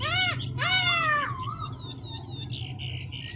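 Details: Black-throated laughingthrush changing its voice: two loud, harsh, nasal squawking notes open, followed by thinner, buzzy high notes and a fading rasping trill, with a steady low hum underneath.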